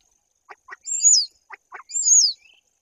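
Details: Common starling singing at a white-tailed eagle nest, treating a tube-hidden camera as a potential nest site; pairs of dry clicks followed by a long, high, down-slurring whistle, repeated twice.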